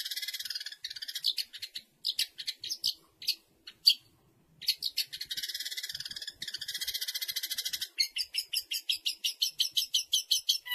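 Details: Long-tailed shrike, a mimic whose competition song includes imitations of sparrows, canaries, lovebirds and kingfishers, giving a high, scratchy, varied song of chattering bursts and quick mimicked notes, ending in a fast run of repeated clipped notes.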